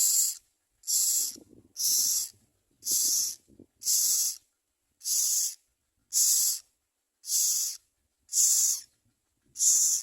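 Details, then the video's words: Common myna busy feeding young. A steady series of ten loud, hissy rasps comes about once per second, with faint low rustling between the first few bursts. "Common myna Birds are very good at finding a lot of food to feed their young."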